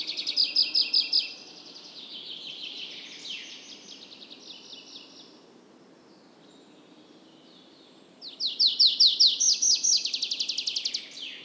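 A tree pipit sings a loud, rapid run of high repeated notes, then a slower drawn-out descending phrase, then after a pause another fast ringing trill.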